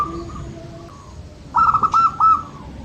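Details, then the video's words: Local zebra dove, used to coax reluctant birds into singing, delivering a quick rolling phrase of four or five bubbling trilled notes after faint distant coos, with low background hum. "SUARA BURUNG PERKUTUT LOKAL - Atasi perkutut malas bunyi"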